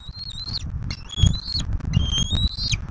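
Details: Eaglet feeding at a wild bald eagle nest in southwest Florida, 15 March 2024, with a turtle as prey. Quick high whistled chitters rise and fall in three bursts, backed by heavy low rustling and bumping.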